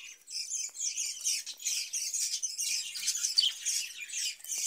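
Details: Cage-kept budgerigars produce an unbroken high chattering warble, a busy mix of squeaks, buzzy notes and quick chirps from several overlapping birds.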